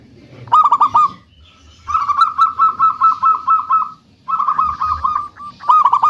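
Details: Loud-voiced local zebra dove calling as a lure to set other doves singing, giving several bursts of quick, evenly spaced, hollow cooing notes separated by short pauses, with a few sharp clicks at the start of phrases.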